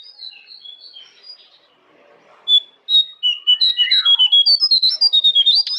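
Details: Jongkangan song used as a master recording to prompt caged birds to sing: faint high chirps first, then after a pause a rapid run of loud, clear whistled notes, sliding up and down, about two per second or faster.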